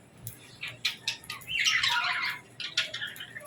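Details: Budgerigars, kept with lovebirds, at feeding time: scattered short high chirps and clicks, then a louder harsh squawking burst in the middle, followed by more brief chirps in a quiet indoor setting.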